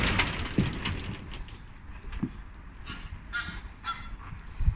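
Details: Flamingos on a late Thursday afternoon giving loud, nasal, goose-like honks with stacked overtones, a few separate bursts with the clearest pair near the end, over steady low rumble.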